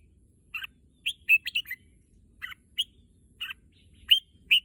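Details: Crisp whistled chirps from a red-whiskered bulbul said to want a trip to the contest field. A quick run of four notes is followed by spaced single notes over a quiet background.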